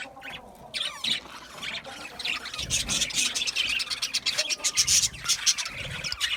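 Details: Several budgies start quietly, then build into rapid, high chattering with harsh squawks and bright chirps packed closely together.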